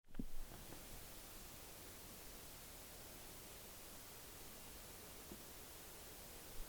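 Steady broadband hiss with a brief knock at the start and no animal calls.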